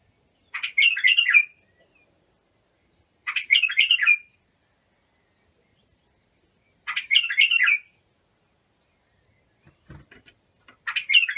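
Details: Bulbul song played for training young bulbuls: four short, bright warbled phrases, each about a second long, repeated roughly every three seconds with silence between, and a faint knock near the end.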